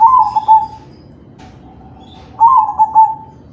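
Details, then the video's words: Crossbred zebra dove giving kalung tempuk style song, played to spur other doves to sing: two low, mellow rolling coos, each a short stuttered start falling into a sustained note, separated by a pause. "Suara perkutut crossing manggung || Perkutut crossing kalung tempuk || Pancingan perkutut lain"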